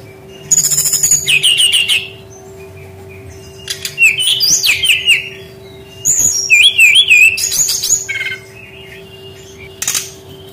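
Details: Song of a brown-chested jungle flycatcher, played as a lure to stimulate young wild-caught birds that rarely sing. Three bursts of rapid, undulating whistles and chatter are separated by quiet gaps, with a low electrical hum throughout.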